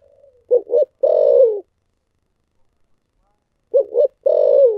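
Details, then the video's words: A spotted dove sings thổ sấm style coos. Two phrases, each a pair of quick hollow notes and then a drawn-out descending low coo, separated by a few seconds of silence. "cu gáy giọng thổ sấm thúc gù"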